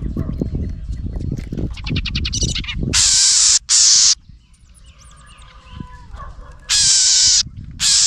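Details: Angry house wren near its nest confronting a nearby camera: low thumping and rustling at first, a fast clicking rattle, then loud harsh buzzy scolds in separate blasts, with quieter twittering in between.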